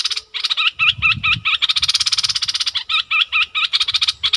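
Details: Captive bulbul calling to provoke a rival to fight: loud continuous buzzy rattling, broken by quick repeated hooked chirps, with faint low rumbling noise beneath.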